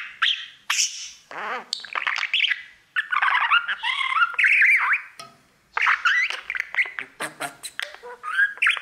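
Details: Budgerigar, a male pet singing all day to his mirror, giving rising and falling whistled notes mixed with scratchy chatter and clicks, briefly pausing midway.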